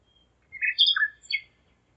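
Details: Common nightingale at night in Zeitz, Germany, 01:55 on 5 May 2017: a brief phrase of slurred, sweeping whistles, rising and falling, with a sharp high click in the middle.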